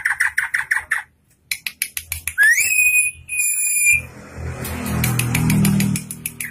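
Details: Tame, prolific drongo (saeran gunting) with a full repertoire utters a run of crisp chips, then a clear rising whistle held level, followed by a rushing, noisy background.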